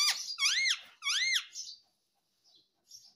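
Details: Talking parrot repeating "mummy" and "papa": two loud arched syllables, each rising then falling, followed by faint breathy hisses.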